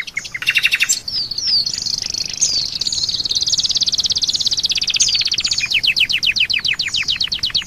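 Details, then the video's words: Oriental white-eye singing a strong training song meant for teaching songbirds, with imitations of Asian pied starling, canary, kapas tembak and rambatan; a few chirps give way to a long high vibrating trill and a rapid series of steep descending notes. "Masteran Keras!!! Pleci bikin Isian Jalak Suren,kenari,kapastembak,rambatan doraemon"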